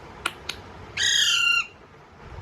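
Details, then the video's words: An Alexandrine parakeet gives one loud, harsh, grating squawk lasting about half a second, preceded by two faint clicks in a quiet room. "Alexeander parrot natural sound"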